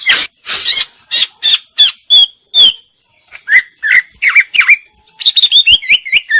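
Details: A female greater green leafbird gives a series of separate harsh chirps and clear whistled notes, pauses, then delivers quick rising and falling whistles and a dense closing burst.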